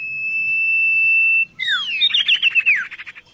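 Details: Oriental magpie-robin holding one long, level, pure whistle for about a second and a half, then breaking into quick downward-slurred notes and a rattling trill that fades.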